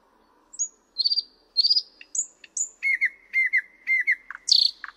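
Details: Thrush nightingale song: clear whistled notes near 4–7k, then a run of repeated rapid doubled notes around 2k, ending in louder harsh buzzy bursts; a quiet background.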